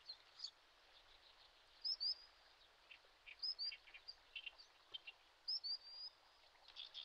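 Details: Late May on a Shin'etsu riverbed in Japan, a Common sandpiper watches over its chicks; thin high whistled notes come in quick pairs and triplets, some sliding, a few seconds apart, between softer chirps.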